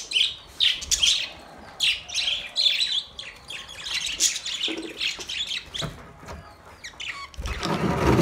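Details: Budgerigars during mating, giving a busy stream of chirpy warbling notes in rapid, uneven bursts, with squeaky high tones and a scratchy rustle near the end.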